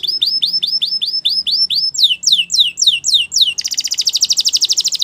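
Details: Belgian canary singing for training: a tour of repeated rising high notes, then downward-slurred notes, ending in a rapid, even, bright trill, with a faint low hum underneath.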